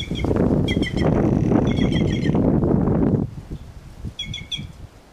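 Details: Wild white-naped jay in nature giving short bursts of ringing, clipped notes in two groups, the first half masked by loud rushing noise that suddenly drops away, leaving a quieter background before a final burst.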